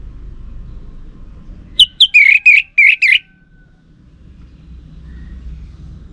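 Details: Orange-headed thrush lure song, played to caged birds; males answer it while silent birds are taken as females. A quick run of about six loud whistled notes sweeping around mid-high pitch, over a low background rumble.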